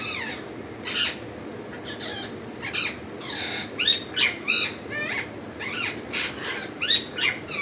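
A parrot chirps in quick, bright bursts, with harsh, scratchy notes mixed among the high chatter.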